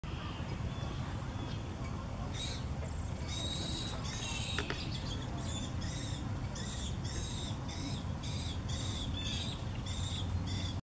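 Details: Yellow-headed blackbird chicks give harsh, hissing begging calls, repeated about twice a second, as a male brings food, over a steady low rumble of wind.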